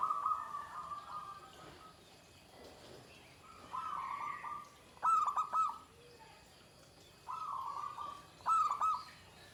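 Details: Pendowo Mijil zebra dove with its shrill 'ke tek kuk' song: long, even cooing tones alternating with short, loud, broken phrases, repeated over several seconds, plus a faint lower coo.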